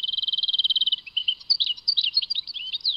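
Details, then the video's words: European goldfinch song, labelled Tadmait: a rapid run of about twenty even clipped notes in the first second, then bright jumbled twittering with quick rising and falling slurs. No other sounds. "Chant chardonneret Tadmait"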